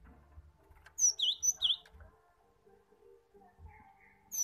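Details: Cinereous tit song played to prompt untrained cage birds to sing: one bright burst of high whistled notes, a sharp downslur followed by two swooping V-shaped notes, then near quiet with a low hum.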